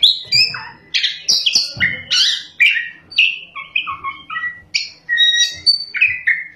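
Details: Oriental magpie-robin, energetic ngerol and nembak singing: varied warbled phrases mixing high whistles, lower slurred notes and sharp clicks in a continuous rolling stream.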